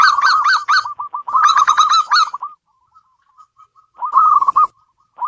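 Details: Zebra dove of a local strain singing at home: a fast series of rolling, harmonic-rich notes, then quiet faint coos and one more trilled burst after a short gap.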